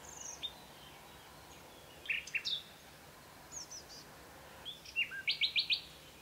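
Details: Common nightingale singing early in the morning in Provence: varied high phrases with pauses, then a fast burst of five or six loud repeated notes near the end, over quiet outdoor background.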